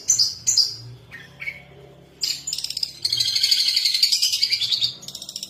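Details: Long-tailed shrike song used as a lure to prompt other birds to sing: a few harsh, scratchy notes, then a dense continuous buzzy chatter, with a steady low hum underneath.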